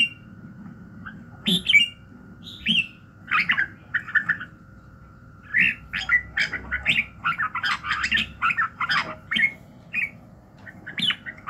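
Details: Red-whiskered bulbul singing in the morning as voice training to stir fighting fire: scattered whistles at first, then a long rapid stream of warbled, chirpy phrases, over a constant faint tone.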